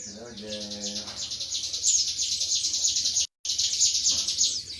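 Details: Pleci, an Indonesian white-eye, delivering 'tembakan materi' song: a continuous high, buzzy, rapid twitter of about three notes per second over a low murmur of talk at the start.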